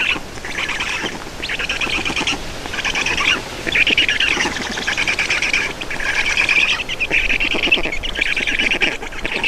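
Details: Black storks feeding at their nest in Estonia on 31 May 2019: short raspy bursts repeated roughly once a second, uneven in length, with gritty buzzing tones.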